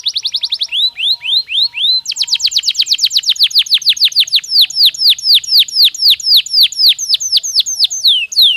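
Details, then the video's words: Canary song played to stimulate breeding and raise bird activity: fast rolled tours of repeated high syllables, a low steady note early on, then quick descending sweeps repeated about four times a second. "تغريد كناري محفز يزيد نشاط الطيور ويجعل موسم التكاثر أكثر نجاحًا"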